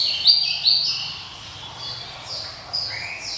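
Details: Java sparrow giving a crisp, ringing song: two loud, sharp high chirps, then quieter scattered twitters and a few soft notes.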